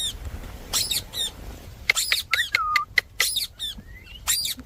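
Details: Indian parrot giving harsh, screechy squawks in uneven bursts, mixed with sharp ticks and a short whistled note.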